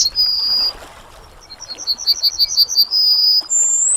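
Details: Yellowhammer song: a sustained high note, then a string of accelerating repeated notes ending in a long drawn whistle, and a final rising note. Light background noise.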